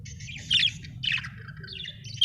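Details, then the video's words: Happy budgerigar chirping in short bursts: two loud, scratchy chirp clusters between two and six thousand cycles, then softer rapid twittering trailing off, with a low steady hum underneath. "Happy budgie chirping sound"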